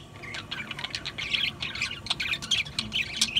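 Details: Steady budgerigar chatter: rapid overlapping chirps and warbled squeaks that grow busier toward the end.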